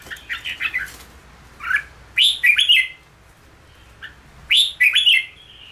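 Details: Red-whiskered bulbul of the 'ché' song style, kept for training to sing quickly and for café singing sessions. Short liquid warbled phrases rise and fall in bursts, with pauses of about a second between groups. The background is quiet.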